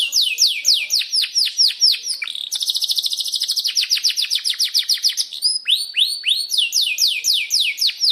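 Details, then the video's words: Canary singing a long chirping roll used as a lure to train other canaries: rapid series of descending sweeping whistles, then a fast trilled roll, then more swooping notes. "Masteran Suara Burung Kenari Gacor Panjang cuit cuit Ngeroll untuk Pancingan Kenari!"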